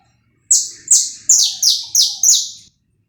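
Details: Saffron finch song recorded live, used to warm up other birds: six loud buzzy notes that slur downward from high pitch, evenly spaced about a third of a second apart, then silence.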